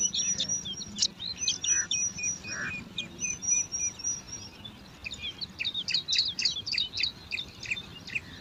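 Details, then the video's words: At a nest in alang-alang grass, five bar-winged prinia chicks fight over food, calling in quick bursts of shrill, sharp chirps, roughly several per second, pausing briefly, then a denser frantic chatter near the end. "Lima Anakan Burung Ciblek Rebutan Makan"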